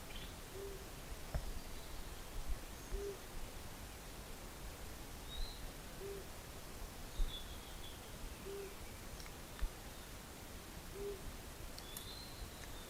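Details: A Flammulated Owl, a migratory insect-eater that breeds on Big Pine Mountain in the breeding season, gives soft, low single hoots about every two and a half seconds, with Western Wood-Pewee and Western Tanager calling thinly and high in the background.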